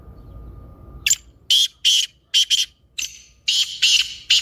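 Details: Black francolin (kaala teetar) calling, a recording played to get a silent caged francolin calling: a quiet hum, then a run of loud, harsh, grating bursts, about eight short rasping notes in quick, uneven succession.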